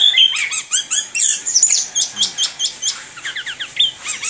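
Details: Orange-headed thrush in rolling, continuous song: rapid, evenly spaced high chirps and downslurred whistles repeated several times a second, interspersed with brief twittering runs.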